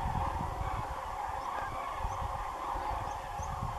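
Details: Common cranes in a big flock passing over agricultural land next to Doñana National Park at dusk, a noisy clamour of many overlapping honking, trumpeting calls, plus a few higher faint notes and steady low wind rumble.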